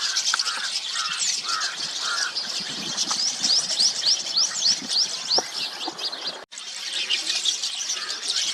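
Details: Several rosy starlings feeding on juice from semal flowers in Aurangabad, Maharashtra, India, chatter in a dense, busy mix of squeaky chirps and rapid rising whistles, with many notes overlapping.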